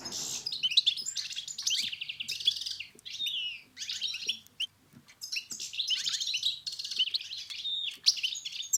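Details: European goldfinch song used to prompt a silent bird to sing, from Morocco: rapid twittering phrases of high tinkling notes and buzzy trills in bursts, separated by brief pauses.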